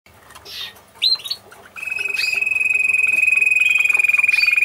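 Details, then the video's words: A white Spanish Timbrado canary sings a few short chirps, then a long, rapid, metallic trill held on one steady high pitch, indoors. "TIMBRADO ESPANOL BLANCO"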